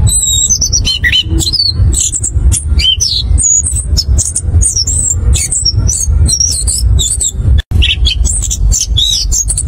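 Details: An orange-headed thrush sings a fast, unbroken stream of varied high whistles, slurs and trills with no pauses, used as a lure to prompt other thrushes to sing, over a steady low rumble.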